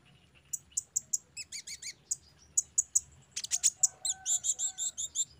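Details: Sunbird training song for raw, bulk-bought caged birds. Spaced high ticking chirps and a burst of falling double notes, then loud sharp notes and a run of quick warbled chirps.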